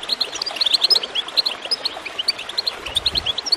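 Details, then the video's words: Goldfinch song for encouraging birds to sing: quick bright chirps and twittering notes tumble along without pause, with a short splash of gurgling water near the end. "Water gurgling with goldfinch chirping to encourage birds to song"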